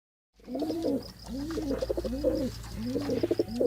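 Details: Pigeon cooing in a run of four low, throaty phrases, each a rolling series of soft pulses with a rising-falling contour, spaced about a second apart over a steady low hum.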